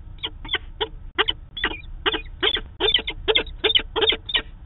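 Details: On 2 September 2018 a live camera in Manchester, New Hampshire recorded peregrine falcons meeting as they do daily; a fast, irregular run of hoarse chittering notes, roughly two or three per second, with background hum.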